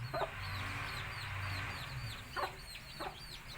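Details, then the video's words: Baby chicks of a Tamil country chicken flock chirping; thin, high descending peeps scattered irregularly over a steady low hum, with a few louder broad notes near the end. "Cute Baby Chicks Chirping Sounds"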